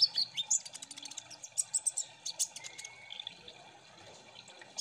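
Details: Kolibri ninja sunbirds in a massed ombyokan chorus played to prompt singing. High twitters and rapid chips crowd the opening seconds, then a long thin whistle and scattered squeaks, ending with a loud shrill burst.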